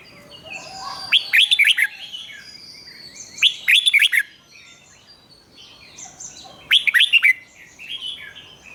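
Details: Red-whiskered bulbul singing Thai 'rik' doubled-phrase song, meant for young birds to learn: three clear phrases of rapid rolling whistles, each lasting under a second, with soft chirps from other birds in between.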